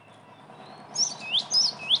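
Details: Gelatik batu, the cinereous tit, as a trapping lure: after a second of rough background noise, three loud high whistled notes dip and rise in quick succession.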